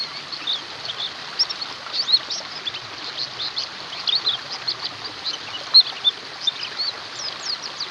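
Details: Chorus of white-eyes, used to coax silent white-eyes into song: thin, very high tinkling chips pour out continuously, a handful of brief brighter peaks above a soft hiss.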